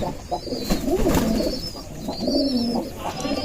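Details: Rajshahi giribaz pigeons, males calling constantly in the morning at feeding time while others feed chicks in their lofts, give low, throaty rolling coos, rising and falling in repeated phrases.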